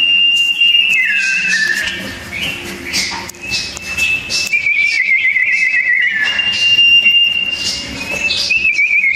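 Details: Fighting sooty-headed bulbuls in a duel sing a loud, dense run of clear whistled notes broken by quick downward slurs and brief trills, the phrases following almost without a break.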